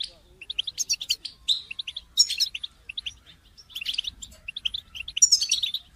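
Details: Group of European goldfinches singing together, a chorus meant to encourage goldfinches to sing through their moult; bright, tinkling twittering phrases with rapid high chirps and buzzy trills in dense overlapping bursts.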